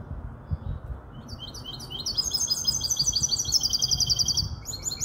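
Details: Young goldfinch hybrid, five months, Malaga hen cross, Casablanca: after a short pause a bright, high-pitched song builds into rapid rattling trills of repeated chirps, steady and energetic, over low hum.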